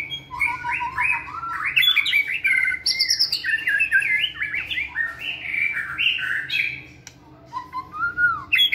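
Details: Caged white-rumped shama singing energetically during fitness training in a flight cage: a continuous stream of rich, varied whistled and warbled phrases, a brief pause, then a rising low whistle.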